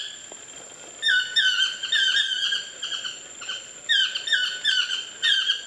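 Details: Wild chestnut-mandibled toucans in trees beside a bungalow at Lapa Rios Ecolodge on Costa Rica's Osa Peninsula: bursts of loud yelping, nasal, downslurred notes in quick series, separated by short pauses, over a constant high-pitched whine.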